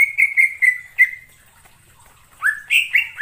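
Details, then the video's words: Lure song of a cucak ijo for trapping birds: short whistled notes repeated on one pitch, a pause, then upward-sweeping whistles climbing in quick steps. "suara pikat burung cucak IJO"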